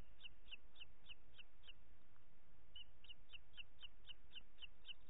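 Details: Booted eagle (Hieraaetus pennatus) at a nest in Els Ports Natural Park, Catalonia, on 25 June 2021 at 21:38, as the mother feeds two chicks at dusk: quick series of thin, high piping notes, about three per second, in two bursts over low rumble.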